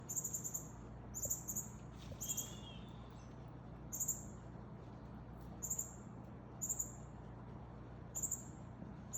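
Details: Northern cardinal, a male feeding a fledgling, gives very high, sharp chip calls in quick bursts of two to four, repeated about once a second, over a low steady background hum.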